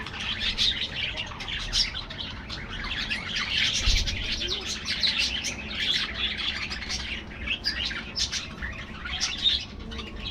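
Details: Budgerigar colony in an aviary, many birds warbling and chirping at once in a continuous busy stream of high twittering notes, with faint low background noise.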